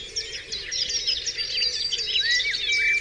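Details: Several birds singing at dawn on Dewlands Common: a busy tangle of high chirps and short trills, with clear drawn-out whistles sliding upward toward the end.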